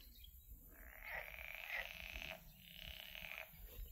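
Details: A black-winged stilt at Izliv Soče nature reserve on 14 June 2024 gives two harsh, rasping bursts of rapid yapping calls, each about a second long, over a low background rumble.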